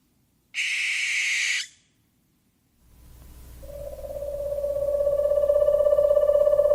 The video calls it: The sound of an owl bird//صوت طاير البومه